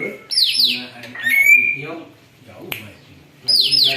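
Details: Noisy greater green leafbird said to copy an eagle's voice: harsh falling screeches repeated in pairs, then a long steady whistle, with a sharp click and low hum in the background.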